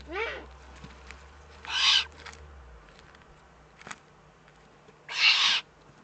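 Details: Eurasian eagle-owl in the Eifel, Germany, recorded on 3 May 2014: two harsh, breathy hissing bursts about half a second long, three seconds apart, after a quick series of short descending chirps at the start, over a faint low hum.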